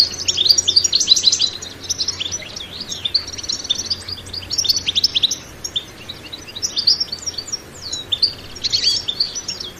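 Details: Lively batbata song of a European goldfinch with no sound effects added: fast, tumbling twitters and bright chirps, strongest at the start, then continuing in clustered phrases broken by short gaps, over a faint low hum.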